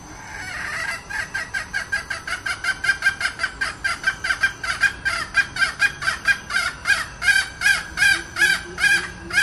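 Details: Female decoy red junglefowl giving a full calling run: loud, clipped cackling notes repeated about two and a half times a second, building in strength and holding a steady rhythm for several seconds.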